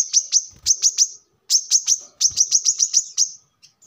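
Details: A brown-throated sunbird sings high, clipped notes in quick, even series of four to nine, separated by brief gaps. The recording is meant for luring wild birds or as a song model for training kept birds.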